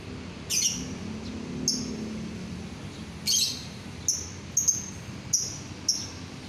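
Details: Lovebird giving sharp, high, clipped chirps, spaced irregularly about a second apart, with seven notes over six seconds against a quiet low hum. The recording is meant to get other lovebirds singing.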